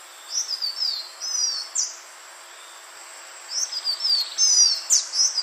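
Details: Green iora calling, recorded to attract birds: two runs of high, slurred whistles falling in pitch, the second longer and busier with sharp flicks, separated by a silent gap and backed by hiss.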